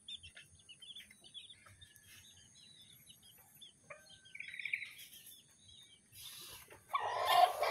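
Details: Colourful bantam chicken siblings give quick, high chirps and soft peeps, then a burst of rustling noise.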